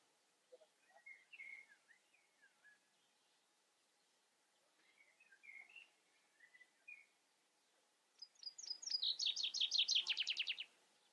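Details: Common chaffinch giving scattered soft chirping notes for several seconds, then one loud, rapid descending trill of repeated notes ending in a short terminal flourish.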